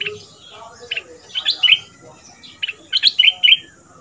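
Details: Fierce double-style song from a caged Red-whiskered bulbul in southern Thailand, kept two months as a decoy for teaching young birds: scattered short chirps, then a clipped run of four or five loud, ringing notes.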